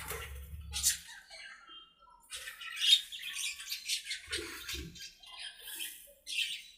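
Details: Budgerigars chattering in their aviary during play, a rush of harsh squawks, squeaks and rapid twitters, with low rumbling bursts near the start and middle.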